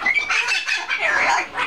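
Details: A male pet blue-fronted amazon, scared at home by another amazon flying and a triton cockatoo, gives loud, harsh, rasping squawks in near-continuous bursts with brief dips, over under two seconds.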